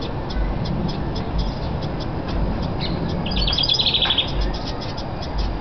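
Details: House wrens feeding nestlings at a long-used nest box in Northern Kentucky fuss at a person standing about five feet away to warn him off, while the mate sings nearby. A brief rapid high trill rises over a steady low rumble.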